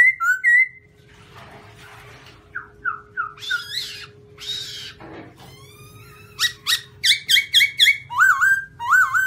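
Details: Varied song of a white-cheeked black-throated laughingthrush: a pair of clear whistles, soft calls, harsh buzzy phrases, a short noisy burst, then a rapid string of loud whistled notes rising and falling, over a faint hum.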